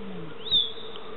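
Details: A male Musk Duck at Jerilderie Lake performs a posturing display, paddling like a motor-boat, lifting its neck lobe and splashing, and gives a single brief, sharp, rising whistle with a dull low thud over a steady hum.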